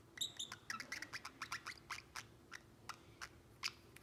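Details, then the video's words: Male Pacific Parrotlet, seven months old, a talking pet, making a rapid series of short sharp chirps and squawky notes, several per second, fading to sparse clicks, indoors. "Pico the Parrotlet talking and making cute sounds"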